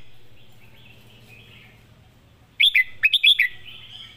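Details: Red-whiskered bulbul, a caged contest singer, delivers a lively 'master song' phrase after a quiet start: five or six quick, liquid, up-and-down whistled notes tumbling together in under a second.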